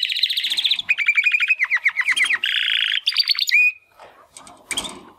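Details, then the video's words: Young male Timbrado canary's early song after the first molt: rapid rattling trill, a series of clear repeated downswept notes, a buzzy roll and a short whistled note, then soft scratchy sounds. "Two Canaries Brothers - Canary training song"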